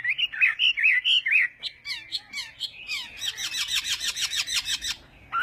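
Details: Chinese hwamei at morning singing practice, giving rolling whistled phrases, a few softer mixed notes, then a rapid run of harsh, scratchy broadband notes repeated about three times a second.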